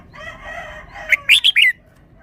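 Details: Red-whiskered bulbul gives four loud, clear, sharply rising whistled notes in quick succession, sung in the wild-song style (pleng pa). A rooster's crow fades out just before.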